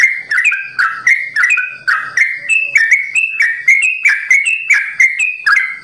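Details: Rapid-fire 'ropel' song of a kept Sooty-headed bulbul in 'simbar jati' variation: brisk, bubbly whistles, lower notes first, then a run of higher level notes, repeated in quick succession.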